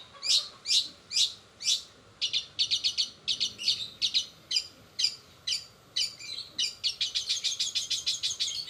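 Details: Long-tailed shrike singing in a fast 'roll speed' style, with imitations of sparrows, sogon and canary. High chips come in quick bursts, then speed into a dense rapid trill near the end.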